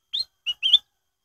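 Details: Short bright whistled phrase of a black-headed bulbul, used as a lure to make other bulbuls sing: an upslurred note, a brief lower tone, then a longer fluttering whistle, all within under a second.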